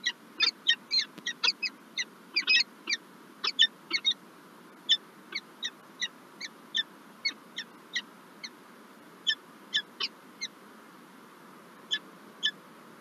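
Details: Harsh chattering calls of a Peregrine falcon at a Lublin, Poland nest on 9 March 2024, with one egg laid and a gift delivered: rapid rasping notes slowing to single calls a second or more apart, over constant background hiss.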